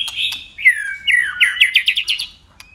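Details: White-rumped shama in contest song, switching voices while flicking its tail. A falling slurred whistle leads into a fast series of about seven loud, repeated rising notes.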